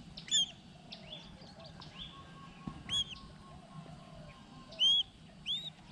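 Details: Collared falconets during hunting training: a few loud, sharp, high arched notes with ringing overtones, spaced irregularly over several seconds, over faint background chatter and low rumble.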